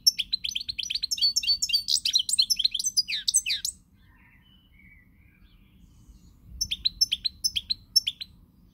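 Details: Goldfinch song from a pied European goldfinch, recorded 20 March 2020: a dense, hurried stream of twittering, buzzy trills for nearly four seconds, silence, then another lively twittering phrase.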